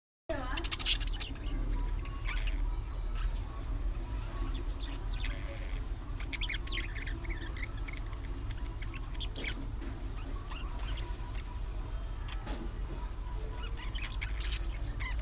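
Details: Budgerigars playing, chattering with quick, scratchy chirps and squeaks over a steady low hum.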